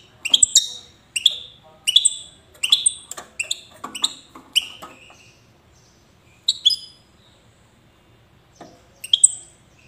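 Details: Wedani-style European goldfinch from Safi, Morocco, repeating crisp, high double-toned chirps roughly every second, with a short pause before a few more spaced chirps.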